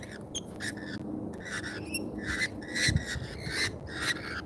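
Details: Lorikeets at an Australian feeder chatter with overlapping raspy, mid-pitched calls and brief squeaks, dense and continuous over a murmuring low background.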